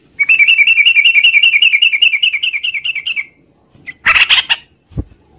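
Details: Long 'ngropel' trill from a yellow-vented bulbul in the morning: a fast, even string of repeated whistled notes lasting about three seconds, then a burst of harsh chatter and a low thump.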